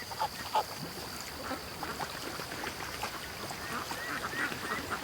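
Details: Domestic ducks heading to the creek in the morning after release from their pen; scattered, quieter quacks at an uneven pace over a hissing background, with a couple of sharper calls near the start.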